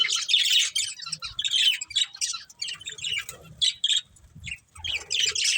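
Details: Chirping from a breeding pair of budgerigars: dense, scratchy warbling chatter with squeaks and short chirps running almost without pause, a few faint low knocks beneath.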